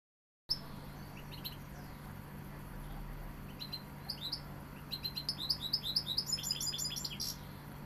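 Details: European goldfinch, described as Sevillian, singing a quickening series of bright, high twittering notes, with short slurred chirps at first and then a dense, rapid run of tinkling elements toward the end; a steady low hum underneath.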